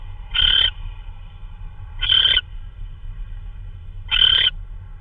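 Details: Owl bringing in a hard-to-identify prey item, possibly a vole, in the early hours of March 16, 2013; three hoarse, hissing screeches come about two seconds apart against a steady low hum.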